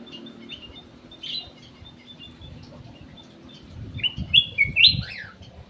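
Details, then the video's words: Ruby-throated bulbul from an aviary, singing as a lure: faint chips early on, then a loud tumbling phrase of bright sliding whistles ending in a falling note, with low rumbling noise beneath. "PANCINGAN CUCAK EMAS \ KUTILANG EMAS"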